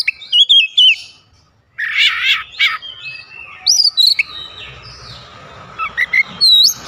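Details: Kacer, the Oriental magpie-robin, pouring out a song with isian fill-ins as other kacer chime in; wavering whistles, raspy buzzy notes, then sliding and rising whistles over a faint background hiss.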